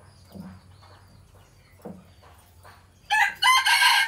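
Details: A quiet stretch with soft low clucks and faint distant calls, then a Phatthalung-line decoy red junglefowl, home-bred for luring wild junglefowl, bursts into a loud raspy crow split into two harsh parts.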